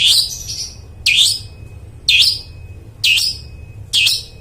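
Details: Long-tailed shrike song for encouraging mute birds to sing: five loud buzzy notes dipping then rising, spaced evenly about once per second, with quiet gaps between.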